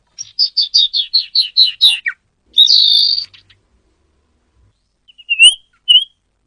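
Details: Common iora call used as a lure to attract wild birds: a rapid run of about ten bright chirped notes over two seconds, then a harsh buzzy note, then two short high whistled notes after a pause.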